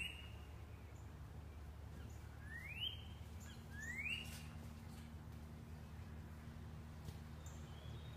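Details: A male Northern Cardinal, in the morning near empty bird feeders with a female nearby, gives two clear whistles, each sliding sharply upward, about a second apart, over a steady low rumble; a call other than its usual clicking.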